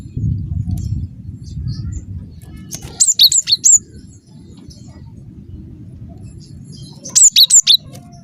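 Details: Lure song of an actively singing cinereous tit meant to provoke others to reply: two short bursts of four high, piercing alternating whistles, separated by about four seconds of quiet with a steady low hum.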